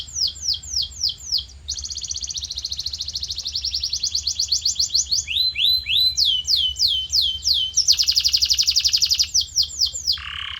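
A canary sings continuously in high, bright rolling tours, each rapid trill repeated several times before switching to a new phrase, over a faint low hum.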